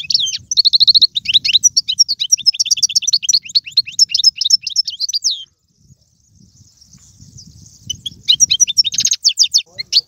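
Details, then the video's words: European goldfinch performing Algerian-style tiwawati, galoubi and serfati song: long, dense stream of bright, quick chirps and buzzy trills, a brief pause, then renewed twittering over a soft low background rumble. "مقنين طيواواطي قالوبي و سرفاتي, هذا الحسون ليس له مثيل"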